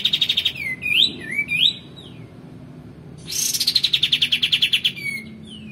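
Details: Tutor recording of a male white-eared bulbul for training songbirds: a quick rattling trill, looping up-and-down whistled phrases, then a long harsh buzzy trill of repeated pulses ending in a falling whistle.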